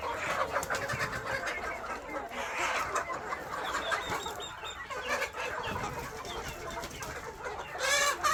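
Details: Kept KUB chickens at a farm in Aceh Besar cluck and squawk continuously as a crowd, with brighter calls standing out and a loud harsh squawk at the end.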